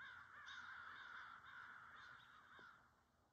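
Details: Crows arriving for their gathering on 2/8/24 near feeding deer at the woodland edge: a string of harsh, hoarse caws given in quick succession, distant and fading toward the end.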